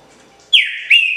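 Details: Green-winged saltator singing: after a quiet start, a loud clear whistled note slides down and levels off, followed by a second bright whistle that rises briefly then holds steady.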